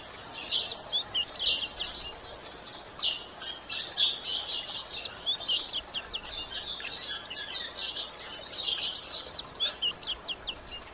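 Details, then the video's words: Female White-throated Seedeater calling to stimulate males: long stretches of rapid, high-pitched chirping and twittering in bursts, some notes sharp and clicky, others buzzy, with steady background hiss. "Fêmea de Golinha piando e machiando para esquentar machos!"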